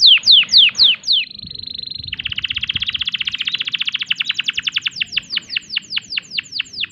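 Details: Canary in breeding condition singing falling whistled notes, a steady pure tone, then a long buzzing trill that slows into separate downslurred notes.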